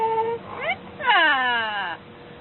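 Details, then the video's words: A parrot sings 'hare rama hare krishna', imitating a human singing voice: a held tone, a quick upward swoop, then a longer, falling, nasal sung phrase over a faint background hum. "Parrot singing hare rama hare krishna"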